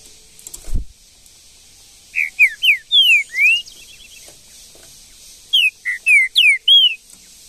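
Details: Green-winged saltator singing in the Brazilian bush: after a brief thump, two phrases of rich, slurred whistles, five or six notes each, rising and falling, delivered with a pause between them.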